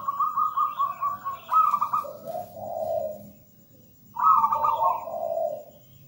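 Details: Cooing zebra dove of local wild stock: a run of quick bubbling coos leading into a lower, longer note, a pause, then another fluttering high coo falling to a soft, drawn-out low ending.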